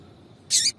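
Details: Single harsh, high chip from a female yellow-bellied seedeater calling to stimulate the male, lasting about a quarter second after near silence.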